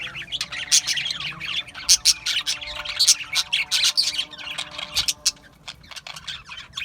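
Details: Several budgerigars keep up a loud, scratchy chirping chorus with harsh squawky notes in clustered bursts, fading to scattered clicks near the end.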